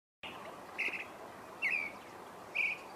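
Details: Creamy-bellied Thrush singing at dawn: short, clear warbled phrases about once a second, each brief and mid-high, over a steady background hiss.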